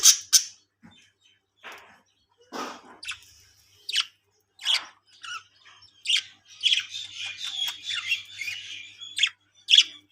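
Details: Caged colony of budgerigars kept for breeding, making scattered sharp chirps and squawks, then a longer stretch of buzzy warbling chatter near the end.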